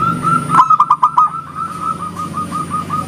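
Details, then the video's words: Zebra dove, local type, singing its clear 'engkel' style that prompts others to reply: one fast burst of about five pulsed coos, followed by a steady string of soft repeated cooing notes, with low background rumble. "SUARA PERKUTUT LOKAL GACOR, JERNIH ENGKELnya BIKIN RAMAI SAUTAN"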